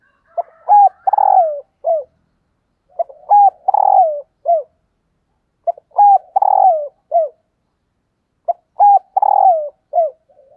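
A female spotted dove gives soft, husky multi-note coos, repeated every few seconds to attract males.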